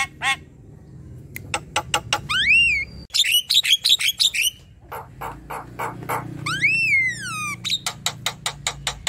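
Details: Gacor Javan myna song for training young birds: sharp clicks, a rising-then-falling long whistle repeated twice, dense squeaky chatter between, and trailing rapid ticks.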